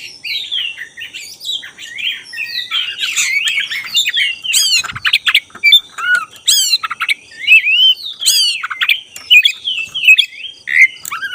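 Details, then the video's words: A black-breasted Oriental magpie-robin sings at night a rich, varied run of whistles, sharp rising sweeps and harsh chattering notes, delivered continuously with barely a pause; used as a lure song, said to sing more as night deepens. "suara BURUNG KACER dada hitam gacor"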